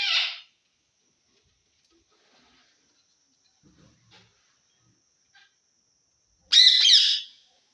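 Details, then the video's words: Assamese talking parrot uttering a short harsh squawk, then several seconds of near silence with faint clicks, followed by a longer buzzy, chattering phrase near the end. "assames talking parrot🦜ki korisa? o kaka"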